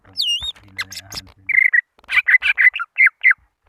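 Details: Greater green leafbird calling rivals in a lure recording: after brief human voices, a steady whistle followed by about seven rich, slightly buzzy downslurred notes.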